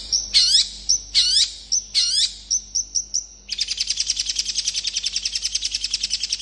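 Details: Rapid, tightly packed long-tailed shrike song to lure other shrikes into answering: three loud looping, warbled phrases with thin high notes between, then a long fast stuttering trill of scratchy notes.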